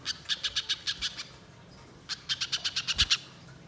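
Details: Spiderhunter chattering on and on, a lure recording for the wild: a series of sharp, high chips, a pause of about a second, then another quick run of similar notes.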